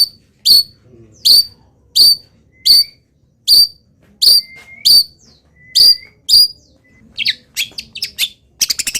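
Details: Molting long-tailed shrike of local origin mimicking wild birds: a steady series of sharp high whistled notes, some with thin flat tails, then a fast jumble of chips and a rapid rattle at the end.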